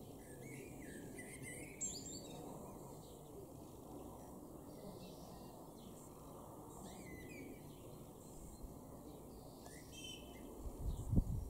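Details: A blackbird sings in a garden in Norden, East Frisia, in northwest Germany, in April 2021: soft, fluted warbling phrases every couple of seconds, each ending in thin squeaky twitters, over a steady low rumble of wind or distant traffic.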